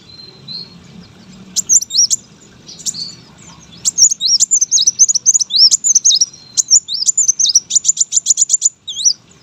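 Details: Competition-trained brown-throated sunbird delivering a lively, high-pitched song: scattered chirps give way to a long, rapid series of loud, hooked, whistled notes, briefly pausing and resuming, over a soft low hum.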